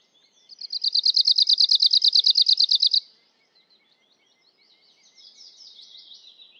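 An Arctic warbler sings a dry, fast, even trill of about twenty high notes lasting over two seconds, followed by faint, thin twittering in the background.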